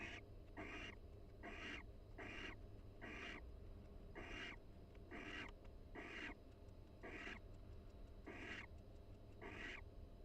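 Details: A barn owl pair in a University of Florida nest box chats and preens each other during the breeding season. A steady run of short, raspy hissing notes comes about once a second, roughly twelve in ten seconds.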